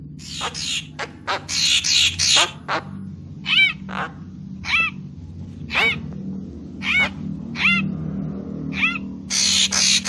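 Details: Papuan magpie-robin lure song: harsh buzzy bursts and clicks at the start, then evenly spaced nasal arched notes, closing with another rasping burst.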